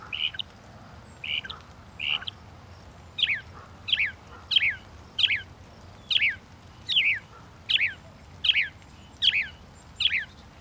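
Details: Northern mockingbird song: three short whistled notes, then a switch to a loud, sharply descending swept phrase repeated steadily about every two-thirds of a second, eleven times.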